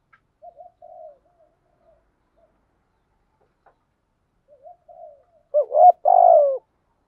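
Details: Spotted dove decoy cooing in the thúc gù and gáy gọi styles, meant to excite other doves: soft faint murmured notes at first, then one loud burst of deep rolling coos near the end.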